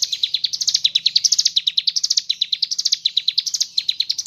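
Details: Ciblek gunung singing ngebren with kapas tembak filling: steady rows of bright, high notes, each short phrase sliding upward, delivered fast and continuously over four seconds.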